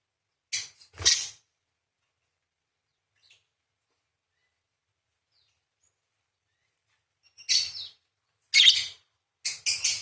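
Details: Parakeet singing energetically, its chattering 'crecet' material used as training recording for songbirds; scattered hissy, high notes appear in two clusters, a couple at the start and a quick run of three near the end.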